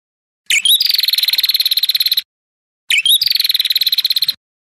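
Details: Ashy tailorbird song used to provoke rival birds: two bursts about one and a half seconds long, each opening with a sharp rising note and then a fast, even, buzzy trill of rapid pulses, separated by silence.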